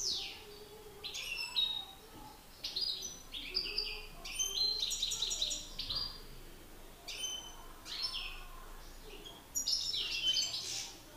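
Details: European goldfinches, a master singer against an excited male, in a singing contest: bursts of high, liquid twittering and buzzy trills, broken by short pauses roughly every one to two seconds.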